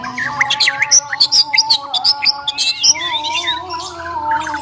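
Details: Bornean white-rumped shama in fighting mode: rapid bursts of sharp, bright whistled and chattering notes, several sweeping up and down, in quick succession for about three seconds, then softer scattered notes over a steady low humming tone.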